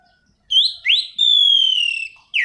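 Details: Orange-banded thrush in energetic rolling song, used as a lure and tutor for training birds: two quick rising whistles followed by a long, clear, slowly falling whistled note, with a brief final note at the end.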